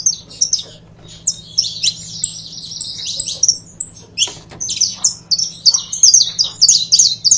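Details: A pair of saffron finches singing: bursts of sharp, high chirps and short buzzy trills, scattered at first and then running together into rapid, overlapping phrases. A low steady hum sits underneath.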